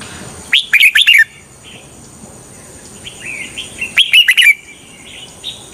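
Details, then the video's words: Caged red-whiskered bulbul decoy for trapping wild birds. It gives two brisk bursts of bright, slurred chirps about three seconds apart, with soft scattered warbling notes in between. "Chào mào mồi cực nhạy _ Âm thanh cho ae đi bẫy _ Chào mào mồi dụ bổi rừng"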